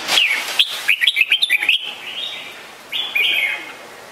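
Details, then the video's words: Red-whiskered bulbul calling: a bright opening note, then a quick chattering run of short slurred whistles, and after a pause a longer rich whistled phrase. "นกปรอดหัวโขน - Red-whiskered Bulbul call very well"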